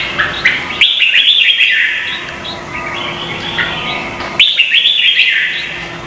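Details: Red-whiskered bulbul contest song from Vietnam, used to prompt captive birds to sing: two energetic bursts of rapid, jumbled whistled notes, the second starting after a short pause.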